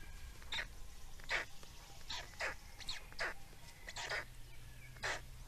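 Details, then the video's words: Black storks in Estonia during feeding on 17 May 2019: harsh, broadband squealing calls given singly at irregular intervals of roughly one second, each a short noisy burst, over a steady low background hum. "Estonian Black Storks - Feeding"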